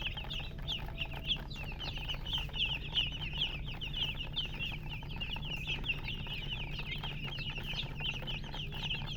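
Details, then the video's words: A crowd of baby chicks chirping: dense, rapid, high-pitched peeps, each a quick falling note, pour out nonstop over a constant low droning hum. "silly chicken chirping sounds"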